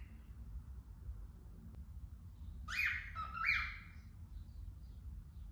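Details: A female cockatiel singing to birds outside, a short burst of harsh rising chirps, then falls quiet.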